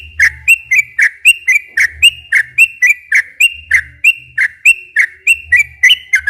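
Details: Yellow-vented bulbul in long, continuous lively song used as a lure to get captive bulbuls singing: rapid bright whistled notes, each rising then dropping, repeated about three times a second with a steady rhythm, low rumbling hum underneath.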